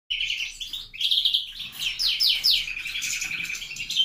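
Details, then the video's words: Captive-bred mutation grey-winged greenfinch singing: a jumble of twittering and buzzy notes, a run of quick downward slurs, then a long dry rattling trill, loud and close indoors. "Verderón ala gris"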